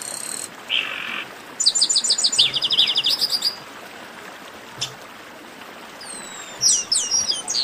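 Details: Chestnut-capped blackbirds calling together in a 'baderna' meant to warm up singing birds: a low buzzy note, a quick string of sharp high chirps, a pause, then falling whistled slurs.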